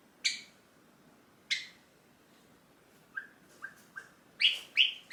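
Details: A hand-tame pet Java sparrow in its cage sings and gives contact calls as its owner tries to leave: sharp, bright chips a second apart, then a quick run of softer notes and louder ringing calls.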